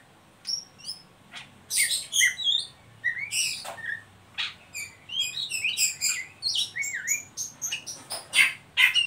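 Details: Oriental magpie-robin singing the ngeriwik style used to coax young birds to sing: a long, busy stream of high twittering notes, buzzy rasps and quick upslurred whistles, growing denser and more continuous toward the end.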